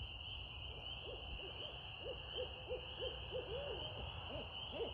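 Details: Barred owl giving a quick series of short arched hoots, roughly evenly spaced, ending in a drawn-out note and a few fainter hoots, with a constant high-pitched buzz of insects behind.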